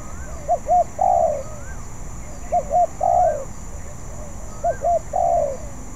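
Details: Spotted dove practising a song it has not mastered, repeating three times about every two seconds a pair of short arched coos and a drawn-out descending coo, with a continuous hum.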